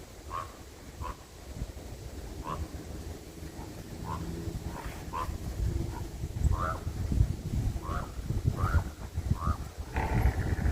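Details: Ravens on 23 November 2024 give short, hoarse calls in a steady series, roughly every two-thirds of a second, over a heavy low rumble of wind.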